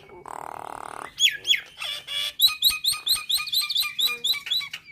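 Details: Nias hill myna singing, a song said to set starlings singing when they hear it; after a second of steady buzzy tone comes a rapid run of about ten short looping whistles, each dropping then rising, over faint background.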